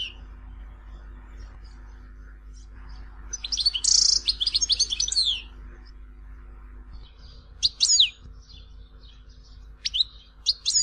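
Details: Tizi Ouzou style goldfinch song recorded in Algeria: after a quiet start with background hiss, a dense burst of buzzy twittering, then a few isolated sharp chirps spaced about a second apart.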